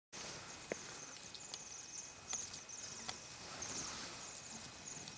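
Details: Bohemian waxwings in a feeding frenzy: thin, high, buzzy trilled calls from many birds overlap continuously, with scattered sharp clicks and taps from the feeding flock.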